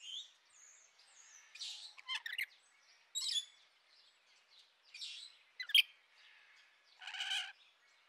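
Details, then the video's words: Rainbow lorikeets give harsh, screechy chatter in short bursts roughly every second, with a louder rasping squawk near the end; fainter chirps fill the gaps. "Bird Sounds/Nature Sounds [Rainbow Lorikeets]"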